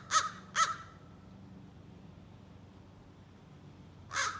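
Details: A young American crow practising scolding and territorial calls gives two quick harsh caws, then after about three seconds a third, longer caw, over a low hum; adults never react to its calls.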